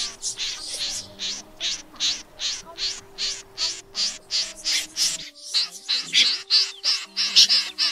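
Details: Common snipe flock-calling, used as a lure for night net trapping of migrating birds in August 2024, giving harsh, rasping calls about three times a second in a steady run, over a faint low electrical hum.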